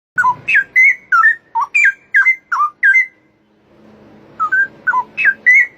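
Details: Straw-headed bulbul singing in the wild; loud, rich whistled phrases of rapid liquid notes swooping down and up, a two-second burst, a brief pause with faint low hum, then the bubbling whistles resume.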